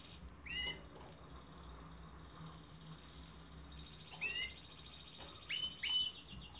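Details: Canary singing a long thin high trill interrupted by loud sharp chirps at intervals, with a faint low hum underneath.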